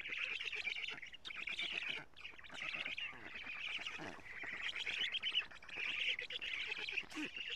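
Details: Black stork nest in Estonia on a June 2017 morning, with the female bringing many lampreys; loud, harsh wheezing calls in surging waves over a faint fast rattle, with short breaks between bursts.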